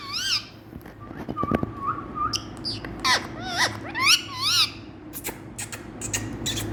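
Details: Indian ringneck parakeet, kept as a talking bird, calling in a quick series of bouncy, wavering whistles. Several notes curve up and down in chevrons, with a brief flat tone and sharp clicks mixed in over a faint background hum.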